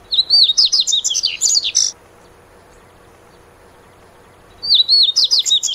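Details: Dubois's seedeater, locally papa-capim-de-costas-cinzas, repeats its song twice: a rapid run of high whistled and buzzy notes lasting about two seconds, a pause of nearly three seconds, then the phrase begins again.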